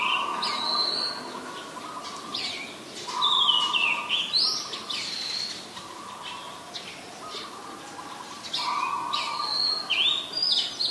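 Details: Oriental magpie-robin, resident in Ubon Ratchathani, Thailand, filmed 20 March 2022 with a Nikon P1000: a lively run of clear whistled phrases with down-slurred and up-swept notes, some chirps between, and a steady lower drone that comes and goes.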